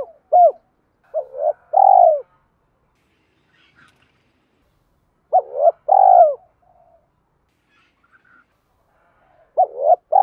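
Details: Spotted dove giving its provoking lure song, thúc and gáy gọi hai hậu style: three separate bursts of short hooked coos followed by a longer throbbing note, spaced by long silences.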